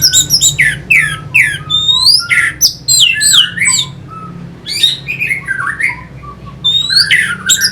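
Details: Orange-headed thrush song played to stimulate fighting birds: a dense run of varied whistled notes, chirps and squeaky phrases, bright and quickly alternating, with a low steady hum underneath.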